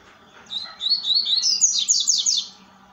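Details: One continuous song phrase from a double-collared seedeater at dusk, starting with slurred high notes and speeding into a rapid, rising series of sharp chirps. A faint low hum sits beneath.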